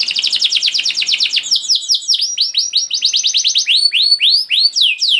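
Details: Kenari canary in long 'gacor' lure song: a rapid, even rattling trill, then a shift into looping, down-curving whistles that rise higher toward the end.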